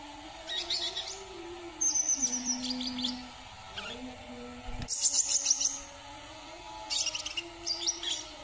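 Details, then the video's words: Brown-throated sunbird from Kalimantan singing high, thin twittering bursts of sharp chirps and short trills, in phrases roughly every one to two seconds over a steady low hum. "KICAUAN KOLIBRI KELAPA KALIMANTAN"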